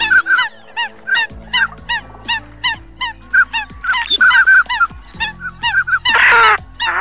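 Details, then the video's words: Eurasian coots, in a recording meant for catching birds, give short, nasal, honking notes in quick succession, several birds overlapping, with a loud rushing burst near the end. "Tiếng sâm cầm"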